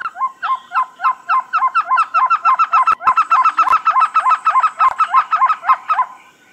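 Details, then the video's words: Trogon from tropical American forest calling in a fast run of short, identical notes, roughly three per second, loud and fairly even throughout, with a few sharp clicks mixed in before the series fades at the end. "THE BEST TROGON SOUNDS COMPILATION"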